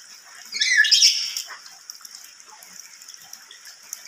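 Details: Lory uttering a single loud, shrill, harsh screech lasting about a second, followed by quiet hiss.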